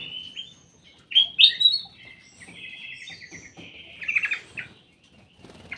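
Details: Aviary-kept ruby-throated bulbul singing loud, bubbling notes, then a level buzzy trill and another burst of warbles, with brief quiet spells.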